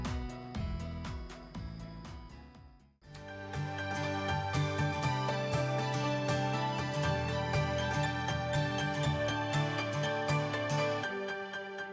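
Soft instrumental background music plays throughout, with steady harmonic tones and no animal calls.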